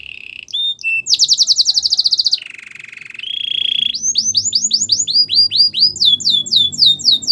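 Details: Song of a Belgian canary for teaching young canaries: short notes, a loud fast pulsed trill, a lower rattling roll, a steady tone, then a lively series of swooping whistled notes.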